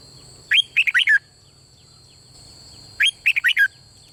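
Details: Red-whiskered bulbul performing 'beul' style song meant to excite other birds: two identical quick phrases of about five liquid, downslurred whistled notes, two and a half seconds apart, above a steady high-pitched hum.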